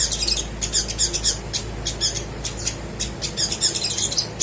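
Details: Little spiderhunter giving rapid high chirps in short clusters, separated by brief pauses; played to get birds that seldom sing to start singing.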